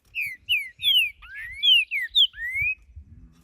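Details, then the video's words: Wild creamy-bellied thrush in nature giving a loud, clear whistled phrase of short falling slurs and longer upslurred notes in quick succession, ending on a rising whistle, over faint low background noise. "Trinca-ferro cantando na natureza"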